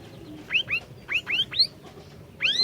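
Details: An orange-bellied leafbird, used as a lure to trigger singing in a silent bird, gives clear rising whistled slurs in pairs, about six notes in under three seconds.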